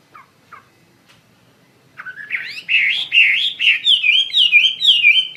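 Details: Wambi mandarin bird gives two soft short calls, pauses, then launches into loud active singing, a rippling series of rising and falling whistled loops, over a faint low background hum.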